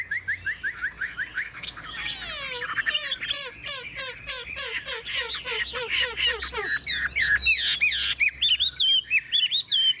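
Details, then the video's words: Chinese hwamei kept in a cage in Vietnam, known for a forest-style voice: a run of quick repeated notes, each sliding downward, gives way to bright, twisting whistles near the end. "Chất giọng rừng ko lẫn vào đâu đc"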